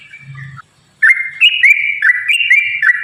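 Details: Yellow-vented bulbul song used to coax other bulbuls into singing: short liquid whistled phrases, rising then dropping, repeated about every half second after a brief silence, a low hum early on.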